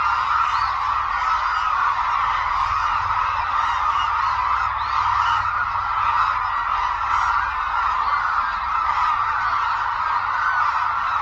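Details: Migrating hooded cranes flocking at Suncheon Bay Wetland, a globally important habitat, putting on an aerial show. A sustained roar of many honking, trumpeting voices continues without a break, with some higher notes flickering above.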